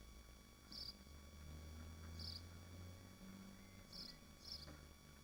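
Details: Swifts nesting in Machynlleth in the Dyfi Biosphere give brief shrill chirps, four in about five seconds, the last two close together, against a low rumbling background hum.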